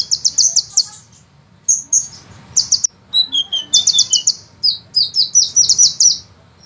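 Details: Fast sunbird chatter recorded as a master for songbirds: bursts of high, sharp notes alternate with slightly lower sliding twitters and thin whistles, in a busy uneven rhythm.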